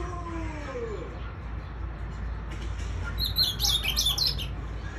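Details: A captive ultramarine grosbeak in Goiás, Brazil, singing all day, gives a quick warbled burst of high, sweet notes lasting about a second after a few low sliding tones, over a steady background hum, at 6:15 pm in early January 2021 near dusk.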